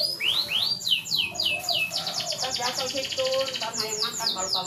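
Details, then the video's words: Canary singing, used as a lure for a canary slow to breed: a series of swooping descending whistles, then a rapid rattling roll and renewed sweeping notes, with quieter low warbles behind. "Pancingan kenari susah birahi"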